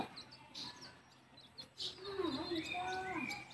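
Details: Mother hen guiding chicks to the nest to roost. Sharp high peeps come first, then a run of lower warbling clucks and sliding chick calls that fills the second half.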